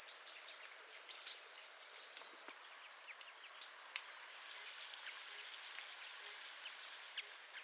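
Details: Hazel grouse giving its autumn whistle near Yelno village, Novgorod oblast, Russia, on 20 September 2018. Thin, very high, drawn-out whistles open and close the recording. Faint scattered chirps and ticks fill the quieter middle.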